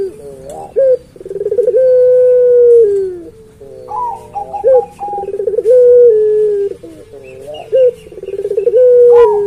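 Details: Repeated cooing of a puter pelung dove: about three phrases, each opening with a short rising note and a rattling stutter before a long, gently falling drawn-out hoot.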